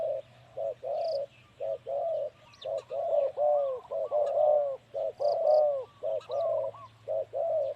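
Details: Male spotted dove used as a ground decoy repeats short, hollow coos. A second overlapping series of arching coos joins midway, with faint high chirps from small birds and a steady low hum.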